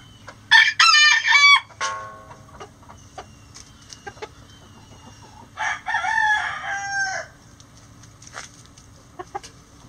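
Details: Roosters crow before dawn while the flock flies out of the coop. Two loud, bright, drawn-out crows with falling final notes are about five seconds apart, with soft clucks and clicks in between.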